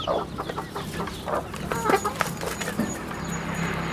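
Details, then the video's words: On a rural chicken farm, chicks give scattered faint peeps among low, soft clucking and rustling, with a steady background hum and a faint high whine. "Good chicks sounds in the farm, Rural chicken farm"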